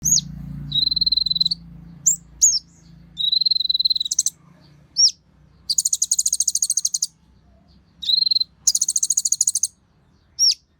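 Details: Energetic, agitated singing from an olive-backed sunbird used as a lure for others of its kind. Thin, level high whistles alternate with rapid buzzy trills and sharp down-slurred chips, over a low background hum.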